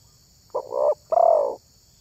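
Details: Spotted dove luring call: two hollow coos, a short broken note followed by a longer descending one, over faint low background rumble.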